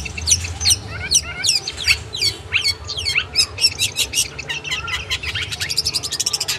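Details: Long-tailed shrike song used as tutoring material for kept birds: descending squeaky slurred notes at first, then a quickening run of sharp, evenly spaced clicks.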